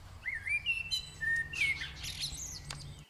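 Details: Eurasian blue tits feeding at a nest inside a ceramic head; high thin chirps and squeaky whistled notes with sliding pitch tumble together for about three seconds over a low steady hum.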